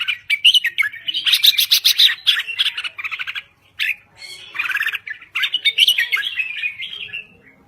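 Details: Vigorous song of a Thai red-whiskered bulbul, with rich gurgling whistles and rapid chattering trills packed into phrases, then a brief pause before further looping, fluty notes.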